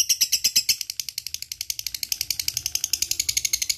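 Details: Fast, ratchet-like lovebird chatter of crisp high clicks, slowing slightly then holding a steady rattling rhythm, in the ngekek style used to coax lazy lovebirds into song.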